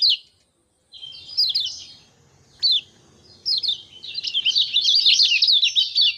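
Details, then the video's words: Kecial kuning in lively ngejos song, 6 December 2024. Scattered short twittering bursts and single high slurred notes with quiet gaps, building into a dense continuous chatter of rapid chirps in the final two seconds. "Kecial Kuning Bikin Rajin Bunyi Ngejos Gacor"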